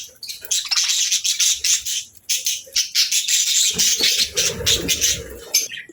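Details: Playful pet budgies alongside lovebirds produce rapid, continuous high chattering and warbling chirps in pulsing bursts, with a brief low rumble midway.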